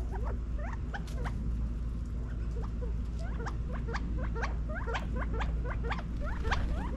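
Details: Group of California quail feeding in a backyard in Las Vegas, Nevada, fall 2022, producing a steady stream of short sharp upward chirps and occasional soft clucks, over a persistent low hum.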